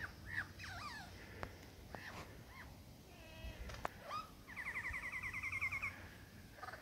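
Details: In the Dandenongs a male superb lyrebird sings to impress a female, mixing looping whistled sweeps and clicks before a rapid even string of about a dozen repeated ringing notes lasting around two seconds.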